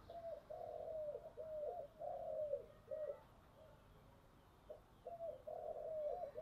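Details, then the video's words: Spotted dove decoy with a deep "thổ"-style voice, calling to lure wild doves. Low, soft coos come in short grouped phrases separated by pauses, over a steady faint background hiss. "cu gáy giọng thổ đặc/ tieng cu gay kich boi nhanh noi"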